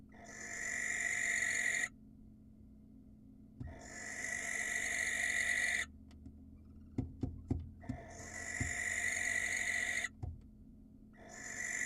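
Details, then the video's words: Wild barn owl in Israel calling to attract a female: long hissing screeches of about two seconds each, repeated four times with pauses, and soft knocks and taps between them. "It's A Hoot: Why Attracting Female Barn Owls Isn't As Easy As It Seems"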